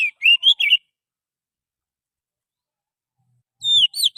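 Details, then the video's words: Oriental magpie-robin from the wild forest, recorded as a lure sound. Three quick warbled whistles open the clip, then a long silence and another short burst of sliding, high whistled notes. "suara pikat burung Kacer asli hutan,suara pancingan kacer"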